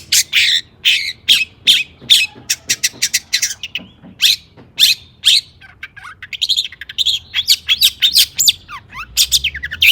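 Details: Excited long-tailed shrike in lure song for provoking other shrikes, a long stream of harsh chatter, buzzy bursts and twitters, ending with downward-sweeping whistled notes.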